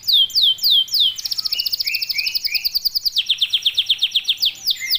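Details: Canary in full 'gacor' song with tight rapid bursts, used as a lure to get young canaries singing quickly: sweeping high downslurred notes, then fast buzzy trills repeated about four per second, shifting pitch between rolls, ending with bright whistles.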